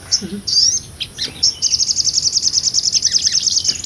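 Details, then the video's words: Small nectar-feeding sunbird (sogon) in energetic 'ngobra' song used to tutor songbirds: scattered high chips, then a long, even, very high rattling trill of quick repeated notes lasting over two seconds. "MASTERAN SOGON NGOBRA"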